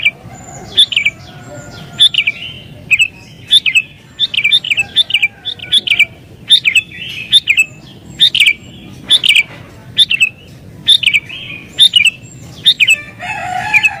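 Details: Sooty-headed bulbul in excited, rival-pressing song meant to attract wild bulbuls: a busy run of sharp chirped notes and slurred phrases, irregularly spaced, over soft low background noise.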